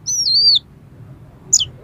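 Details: Oriental magpie-robin song fragment from a harsh-material song meant to provoke a rival: a long, high, wavering whistle falling at its end, a pause, then one sharp descending note.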